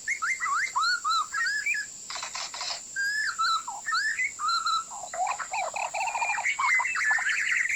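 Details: White-rumped shama, a lure song used for bird trapping: rich, varied whistled phrases of looping, rising and falling notes delivered in quick succession, broken by brief noisy bursts, over a constant thin high-pitched tone.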